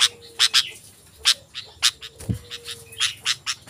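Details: Sooty-headed bulbul song used as a lure to call wild bulbuls and as a tutor for caged birds: short bright chirping notes in quick bursts, repeated irregularly, over a steady low hum.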